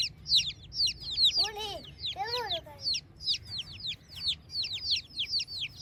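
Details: Village chicks at morning peep in quick shrill downward notes, grouped in bursts, interrupted twice by a lower, drawn-out arched call from a larger fowl.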